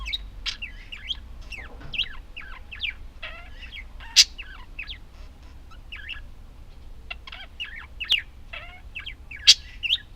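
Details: Pet budgerigars in long, busy chatter: dense strings of quick high chirps and warbles with a few sharp clicks, continuing throughout.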